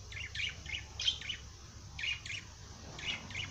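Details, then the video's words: Parrot singing: short bursts of bright, scratchy chirps and warbles in small clusters about once a second, with quiet gaps and a steady low hum underneath. "Popagai sing -song madár ének"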